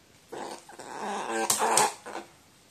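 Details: Crow just awake and still sleepy, coming close to seek affection, recorded 10 June 2018; one drawn-out nasal, raspy, gurgling call lasting nearly two seconds, layered and throaty, ending in a sharper burst, then quiet.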